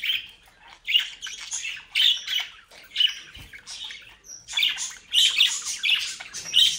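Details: Captive bred budgerigars, playful youngsters in South Holland, Netherlands, give dense scratchy squawking chatter in repeated bursts about once a second, harsh and buzzy, with brief pauses.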